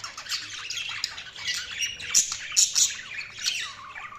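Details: Budgerigars chirping: a dense, continuous chatter of warbling, squeaky and scratchy notes from several birds, with a few sharper high squawks standing out.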